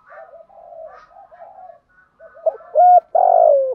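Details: Lure spotted dove in the 'thổ gù' style: soft, low rolling coos, then a clear loud coo and a long, husky, falling final coo.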